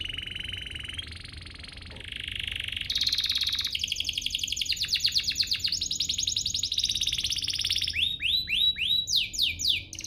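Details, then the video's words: Canary singing to provoke other canaries into song: long sustained high trills shifting pitch between segments, rapid buzzy rattles, then a run of rising whistled upsweeps repeated in quick succession near the end, over a low background hum. "Pancingan ini EFEKTIF BANGET, burung kenari lain langsung terpancing untuk GACOR"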